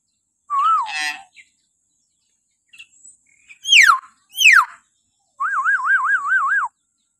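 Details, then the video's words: Loud shrill calls of a common hill myna in the morning, used as a training lure for captive mynas: a wavy whistle, two steep downward-sweeping squeals and a fast undulating trill. "suara burung beo melengking"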